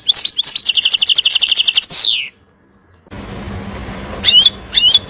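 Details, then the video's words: European goldfinch song used to teach young birds. Twittering notes lead into a dense buzzy trill that ends in a downward sweep. After a pause come a broad hiss of noise and two short high notes. "تغريد طائر الحسون نار لتعليم الفراخ"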